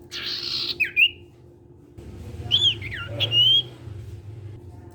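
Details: Sirtu cipow in full song, used to get untrained sirtu birds singing along: a short burst of high hiss, then thin, slurred whistles rising and falling between phrases, with a steady low hum underneath.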